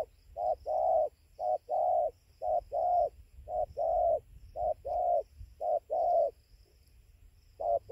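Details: Aggressive wild spotted dove at dawn, 5:20, by its roost tree in Gia Lai, Vietnam, 24 November 2020. Low soft coos in short-long pairs run steadily about once a second, then pause before resuming.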